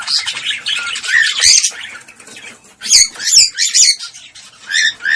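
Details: Cockatiel mating call, played to stimulate pairing: loud, harsh squawking bursts with chattering notes between them and a quieter pause in the middle.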